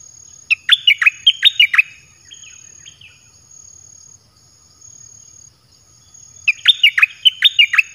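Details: Red-whiskered bulbul kept in a cage, its song played to attract wild birds; a lively run of chirpy, swooping whistles, then quiet, then another similar phrase near the end, over a thin steady hum.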